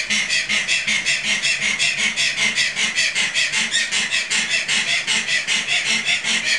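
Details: Tasmanian native hens, a flightless bird, screaming under a bridge at a wildlife park in Gunns Plains, Tasmania, Australia, on 12 October 2012 at twilight an hour after sunset; loud harsh rasping notes pulse rapidly and steadily, about two and a half per second.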